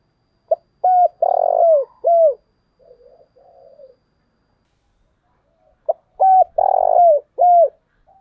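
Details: Spotted dove kept as a decoy bird in Vietnam, giving thúc bổi calling. Each phrase is a short pip, a hollow coo, a longer rolling coo and a downslurred closing coo, delivered twice with faint low muttering in the pause.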